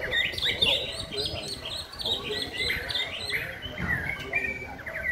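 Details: White-rumped shama in steady, rhythmic song: rich, continuous whistled phrases with sweeping slurs, warbles and short repeated notes, loud and close throughout.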